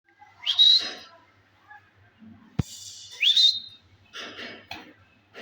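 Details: Indian green ringneck parakeet, a pet parrot, talking in Urdu: short rising whistled phrases and raspy speech-like syllables spaced over a few seconds, with a sharp click between them.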